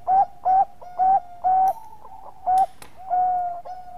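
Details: Bangkok-type zebra dove singing actively, a prompting song to draw other doves into song: clear, steady, level coos repeated about every half second, with a few brief clicks between notes.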